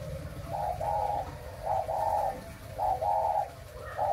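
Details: A breeding spotted dove of the pink-spotted type coos in low, hollow phrases, a short note then a longer one, repeated about every second with a faint background hum.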